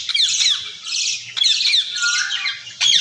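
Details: Talking Indian ringneck parakeet giving harsh high screeching squawks in drawn-out raspy bursts, one after another, ending with a sudden loud shriek; indoors.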